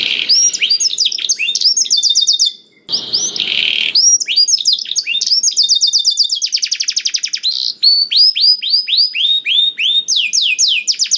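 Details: Canary; song; stimulating other canaries to sing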